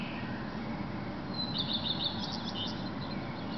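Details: Male common redstart singing at 4:15 on a May 2010 morning in Berlin, another redstart answering in the distance and blackbirds singing: a quick burst of high, bright, repeated chirping notes over a steady low rumble.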